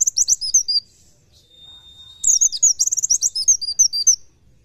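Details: High, quick warbled twittering from an Oriental white-eye in 'nembak nyepeed' tutor style, a steady thin whistle-like tone in the pause, then a long two-second run of rapid sharp chirps and trills.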